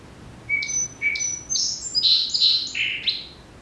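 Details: Song Sparrow song, a common yard and trail bird: three clear, evenly spaced introductory notes about half a second apart, "counting off", then a quick, buzzy jumble and trill of higher notes.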